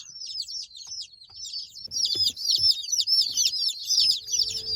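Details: Newly delivered mail-order hatchery chicks in their shipping box peep continuously, with high thin chirps overlapping rapidly, faint handling thumps and a low hum underneath.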